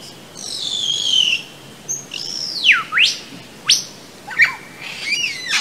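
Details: Superb Lyrebird mimicry, possibly of human voice (listeners heard something like "rocket ship"): a varied run of loud whistles, sharp rising and falling sweeps and bright chirps, each different, over a quiet background.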